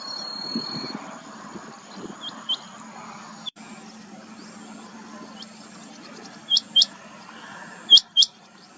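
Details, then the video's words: Rain quail giving sharp, high, metallic notes in quick pairs, two doublets near the end, with faint chirps earlier over a steady low engine-like hum. "Rain quail call"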